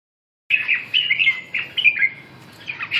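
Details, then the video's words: Red-whiskered bulbul singing a run of short, bright warbled phrases, chirpy and slurred, after half a second of silence, with brief pauses between bursts. "Kênh về chim Chào mào"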